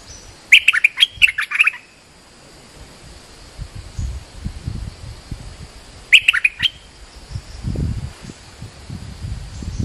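A bulbul gives two quick bursts of bubbly, chattering chirps about five seconds apart, with faint low rumbling in the background.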